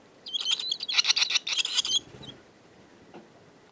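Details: Several barn swallows twitter together in a dense, rapid burst of high chirps lasting under two seconds, followed by near silence with one faint note.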